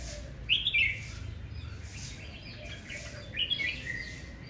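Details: Red-whiskered bulbul in aggressive morning singing, two short warbled phrases about three seconds apart, each a quick bright flourish dropping in pitch over a steady background hiss.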